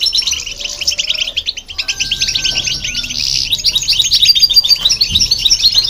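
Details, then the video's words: Goldfinch song alongside a hybrid, used to stimulate other birds: quick tinkling notes repeated about three times a second, growing louder and denser, with a long faint whistled tone and low background sounds. "Goldfinch And The Hybrid To Hear And irritate The Birds"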